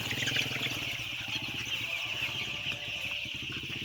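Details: A flock of about 10000 white chicks peeping in a dense, continuous high chorus, with a steady low engine-like rumble and regular pulsing throughout.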